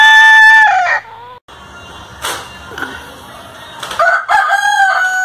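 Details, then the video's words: A rooster crow ends with a falling note. Scattered noisy bursts follow, and near the end a new crow begins with rough stuttering onsets. "ROOSTER CROWING"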